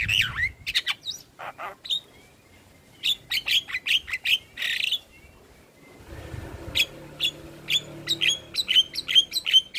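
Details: Javan myna lure song for mynas that will not sing. Scratchy, grating notes and whistled slurs come first, then after a brief pause a quick run of sharp, high chirps.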